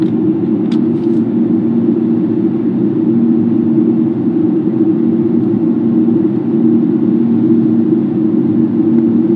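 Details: Steady low rumble and hum like a passing aircraft or traffic fills the whole recording, with one brief faint click early on and no animal voice.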